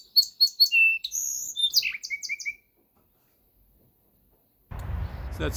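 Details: A Song Sparrow sings a quick phrase: three bright opening notes, then a buzzy burst and a falling jumble of notes, in spring in the Ottawa area. After a pause, a voice begins.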